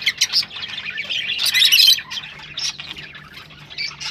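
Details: Rosella sounds meant to encourage breeding: scattered sharp chirps that build into a loud harsh squawking passage at mid-clip, then thinner, irregular chatter that fades and returns at the end.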